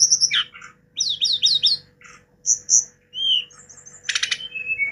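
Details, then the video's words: Song of a hill blue flycatcher, known locally as tledekan gunung: quick falling slurs in a rhythmic run, clear high whistles, a short rising note, then a dense buzzy burst trailing into a level whistle; low constant hum. "TLEDEKAN GUNUNG istimewa"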